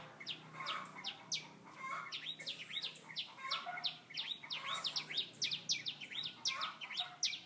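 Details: Singing birds give a lively stream of high chirps and slurred down-sweeping notes, overlapping in places, against a quiet low hum.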